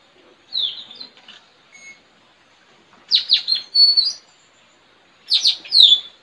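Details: Straw-headed bulbul (puling), a trained decoy bird singing in a song contest against a friend's bird in front of a village house, 4 April 2021, trained to call in wild birds; three bursts of high, sweeping, downslurred notes about every two and a half seconds.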